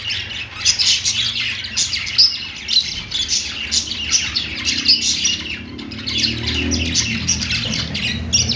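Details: Pet budgerigars sing while perched, rapid overlapping chirps and raspy chatter throughout, with a low rumbling noise rising in the background toward the end.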